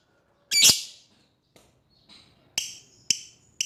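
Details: Lovebird calling out to an opponent: one loud, rasping shriek followed by a few fainter, thin chirps and short sharp notes.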